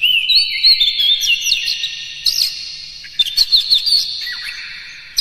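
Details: Oriental magpie-robin singing a provoking lure song to rouse other magpie-robins: bright slurred whistles and rising-falling sweeps in quick succession, with a burst of sharp notes near the end and a pause midway.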